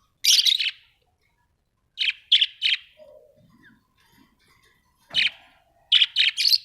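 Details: Budgies, Australian parrots, chirping: sharp high chirps in quick runs of two or three, a quiet gap with soft low twittering, then more chirp clusters and a brief thump.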